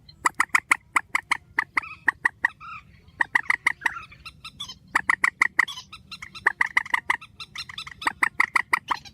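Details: Grey-headed swamphen, known locally as trích, giving a strong call in the style called trích ghép number 4: rapid runs of sharp, harsh, clipped notes repeated in bursts, with short pauses between groups and a faint low hum underneath.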